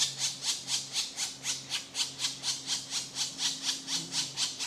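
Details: Hungry woodpecker chicks being fed by their mother: harsh, raspy squawks repeated about two to three times a second in a steady rhythm, with a faint low hum underneath.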